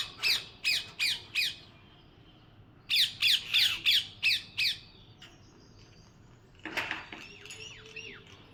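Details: Parrot screeching in two rapid runs of shrill squawks, four then six notes, followed by softer chattering and scratchy calls.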